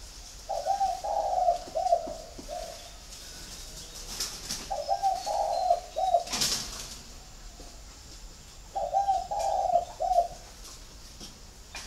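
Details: A captive spotted dove from a flock at a bird farm in Ba Vì, Hanoi, Vietnam, gives three soft, low cooing phrases of several notes each, about four seconds apart, with a couple of sharp clicks or wing flaps between.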